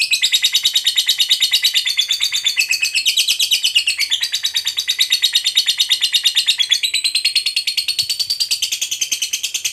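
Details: Fighter lovebird giving a sustained ngekek trill to provoke a rival: roughly ten seconds of rapid, regular, high-pitched chattering notes, about three a second, run together in a long unbroken series.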